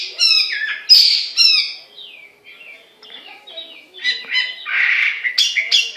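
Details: Singing Chinese hwamei: sharp, rich repeated notes, then a softer pause with scattered quiet notes before loud burry, chattering phrases resume.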